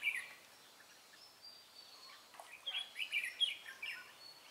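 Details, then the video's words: Red-whiskered bulbul in a trapping setup, recorded 23 March 2018, singing a quick "ché" song: a brief chirp, then a run of jumbled, rapid whistled notes in the second half over soft background hiss. "Bẫy chào mào Mí lửa Bắn như AK ché rát"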